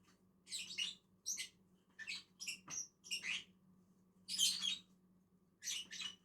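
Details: Lovebird pair eating in a tree: a series of rasping, high-pitched squeaks and chirps, irregular, with one longer harsh burst midway.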